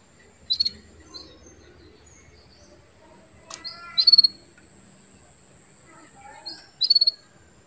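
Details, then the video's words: Female canary calling to bring a male into breeding condition: three bursts of sharp, high chirps, each a quick rapid-fire cluster with a brief upswept note, spaced a few seconds apart over a faint low background hum. "CUITAN KENARI BETINA MEMANCING BIRAHI JANTAN JADI CEPAT GACOR"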